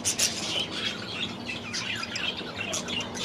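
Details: Budgies in an aviary chattering together: dense, overlapping high warbles and chirps with short squawks, a steady busy din throughout.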